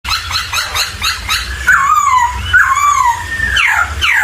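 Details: Laughingthrush (poksay) singing: a quick series of short repeated notes opens, then gives way to long, loud, slurred whistles that glide down and up, over a steady low hum.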